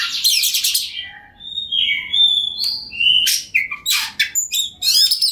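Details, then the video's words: White-rumped shama singing in a cage as a lure for rival shamas, mixing clear sliding whistles with short, harsh, broadband rasps and chatters in quick succession. "KACER NGOTOT PANCINGAN TERBAIK BIAR KACER LAWAN CEPAT GACOR, Kacer Gacor Full Ngobra"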